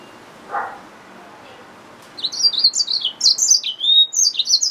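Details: After a soft thump and a pause, a yellow-fronted canary mule, a hybrid finch, breaks into a lively stream of high chirping and sliding whistled notes.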